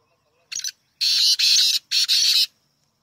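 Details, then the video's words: Black francolin, known locally as kala teetar, delivers one short rasp followed by two long pairs of loud, harsh, grating notes in a steady rhythm. "Black francolin voice 💔 kala teetar awaz 👈 partridge sound . black teetar"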